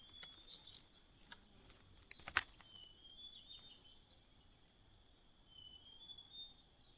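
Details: Common cuckoo in a nest: a quick pair of short shrill notes, then three longer hissing, very high bursts, followed by quiet with only a steady thin background whine.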